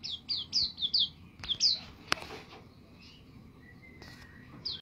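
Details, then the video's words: White-eye recorded for training songbirds: an opening burst of quick, high falling chirps, then a sharp click, a quieter stretch with a soft thin whistle, and one final chirp. "pleci gacor"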